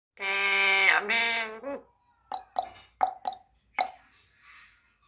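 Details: A 4-year-old eclectus parrot imitates the Korean children's song "School bell rings ding ding ding" in two drawn-out, voice-like phrases, followed by five quick clicking pops and a soft rustle.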